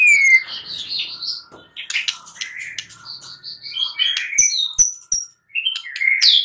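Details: Night song of a white-rumped shama used as a lure for answering birds: high thin whistles and trills, sharp clicks, and a sliding upward whistle at the close, in a busy, varied stream of phrases.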